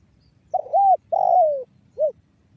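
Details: Spotted dove calling in the 'banggo bocor' style, a lure to set other doves calling. It gives a soft wavering coo, a longer downslurred coo, then a short rounded closing note, all low and mellow.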